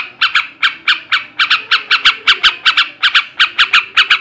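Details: Chattering ngebrem and ngekek garuda song of a male yellow-vented bulbul, aimed at stimulating breeding: harsh, squawky notes in pairs and short runs, evenly spaced over a few seconds, quiet background.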